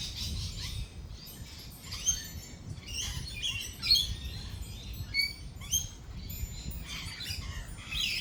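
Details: Lorikeets in a thunderstorm with rolling thunder: repeated shrill screechy calls and brief whistled notes in irregular bursts, roughly every couple of seconds, above a low rumbling, pattering background.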